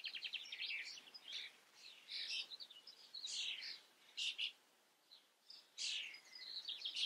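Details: Common starling singing: a varied, chattering run of high clicks, squeaky chirps and short whistled phrases, delivered in bursts with brief pauses between them.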